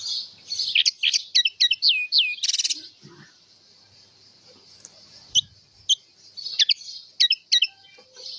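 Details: Singing house finch delivering a series of sharp, curling chirps and a short buzzy rattle, then a pause with scattered single notes before more looping whistled phrases.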